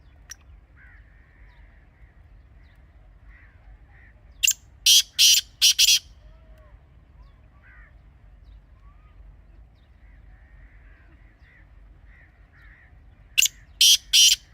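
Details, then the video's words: Grey francolin (teetar) calling, for hunting use: two series of four loud, grating rasps about nine seconds apart, with soft faint bird chirps and a low hum between them. "تازہ تیتر کی اصلی آواز | Teetar Ki Real Voice 2026 | Best Teetar Calling Sound for Hunting"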